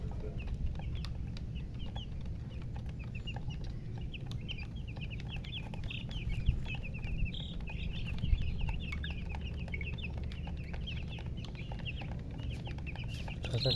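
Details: Long stretch of chickens chirping together, dense bursts of brief high peeps building in the middle and thinning toward the end. Low-pitched drone throughout, with occasional faint thumps.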